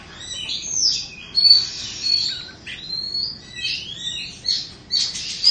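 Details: Two-season Oriental magpie-robin from Indonesia, kept in a cage, pours out loud varied phrases: sharp whistles, descending slurs and chattering notes, each burst separated by brief pauses.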